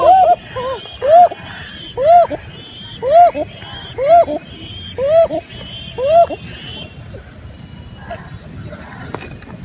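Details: Koka pigeons at a farm in Bangladesh, among the country's largest Koka pigeon farms. A series of six arched, tonal notes, one per second, evenly spaced, then fainter background noise.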